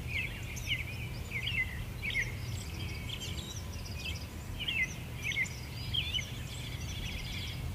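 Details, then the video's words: Wild birds in an English garden give busy, overlapping chirps and short twittering phrases, repeated irregularly over a steady low background rumble. "Bird song sounds"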